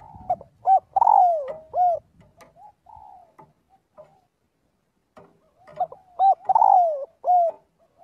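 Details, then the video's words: Spotted dove giving its flock call twice: quick coos leading into a long rolled coo that falls in pitch, with faint ticking and knocks in the background. "tiếng chim cu gáy gọi/chim cu gáy gọi bầy luyện giọng mỗi ngày"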